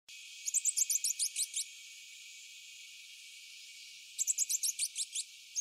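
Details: Rufous-breasted hermit, a hummingbird, giving twittering song: a fast series of about ten very high, sharp descending notes lasting a second, repeated after a pause of about two and a half seconds.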